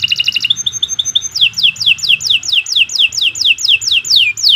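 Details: Canary song used as a recording for training birds: a quick high trill, a few level whistled notes, then a long even series of descending slurred notes, around two per second.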